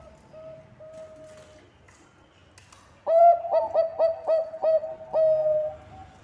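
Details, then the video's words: Bangkok zebra dove singing strongly, a lure track: faint soft coos first, then a sudden loud burst of about seven rapid clipped coos closing on a long held note. "Perkutut bangkok gacor suara cocok untuk pancingan"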